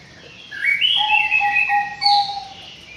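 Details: White-rumped shama in an aviary producing a melodious warbled phrase of high sliding whistles over a steady low fluted note, finishing with a brief bright upward whistle.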